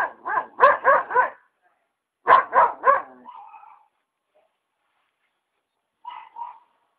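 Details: Free hyacinth macaw at a country property by the Paraná River, Ilha Solteira: two bursts of three to four hoarse, throaty squawks in rapid succession, a softer trailing croak, then two quiet calls after a pause.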